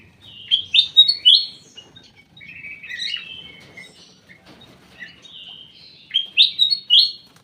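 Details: Private aviary recording of a ruby-throated bulbul: bursts of three or four bubbly, fluted whistles at the start, softer warbling in the middle, and another loud burst of whistles at the end.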